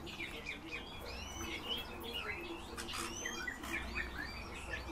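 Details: Several soft, arching whistled notes from kept Eurasian bullfinches, rising and falling in quick succession with a few brighter peaks, over a steady low background hum.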